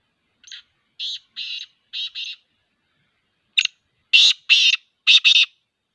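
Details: Black francolin repeating its grating, buzzy phrase twice: a softer series of about five rasping notes, then a louder, fuller run of short, scratchy bursts in a quiet setting.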